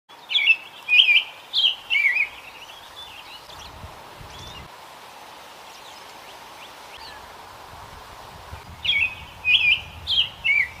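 An American robin sings bursts of four clear, warbled phrases, each about half a second long, with a long pause between bursts and faint background hiss.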